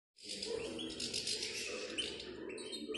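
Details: Adult male European goldfinches prepared for the 2020 season, singing a dense, fast twittering song of high liquid and buzzy notes that runs without pause, over a steady low murmur in the background.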